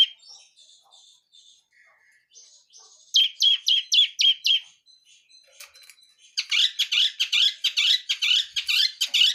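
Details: Blangkon-type long-tailed shrike from the wild singing full fills: soft scattered whistles and chirps, then a loud run of rapid repeated notes, a pause of faint calls, and another fast, insistent chirping run.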